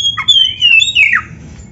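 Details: Oriental magpie-robin giving a drawn-out whistled phrase that wavers and slides downward, ending in a brief upward flick, recorded close.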